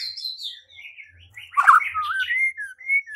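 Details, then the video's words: White-rumped shama, used to provoke singing and fighting, giving varied whistled phrases that slide between high and mid pitch, with a louder burst of mixed notes midway and clear rising whistles near the end. "Murai batu LANGSUNG TARUNG dan IKUT GACOR dengan pancingan seperti ini"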